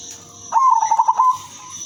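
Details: Single sweet coo from a silver female zebra dove used as a lure: a quick burst of rippling pulsed notes lasting under a second, set against constant faint high hiss.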